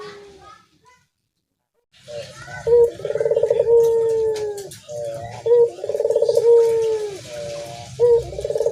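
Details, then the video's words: Dove calls begin after a brief silence. The phrase repeats about every three seconds: a clear note, a rapid pulsed trill and a long descending whistle. "burung puter"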